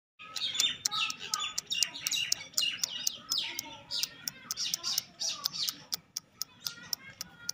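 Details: Young black francolin chick of pure Sindhi breed giving busy, high, thin chirps and peeps in quick succession, broken by sharp clicking taps throughout.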